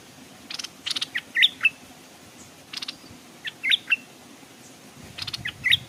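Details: Caged decoy Stripe-throated bulbul hanging beside a stream to draw wild birds, which came but stayed off the ground. Rapid clicking notes lead into sharp whistled flicks, repeated in three clusters over a steady quiet background.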